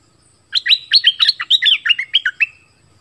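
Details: Southern Thai decoy bulbul sings a lively two-second string of about a dozen liquid, gurgling notes, evenly paced and slightly falling toward the end.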